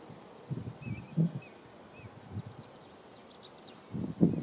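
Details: Common teal in group courtship display at the London Wetland Centre: short, clear whistled notes given in quick succession, over low dull thumps and splashing-like noise.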